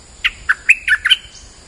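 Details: Lure call of a bulbul, merbah lekir in Malay, used to attract other birds: five or six clear, liquid notes given quickly, some slurred upward and some downward, over quiet background.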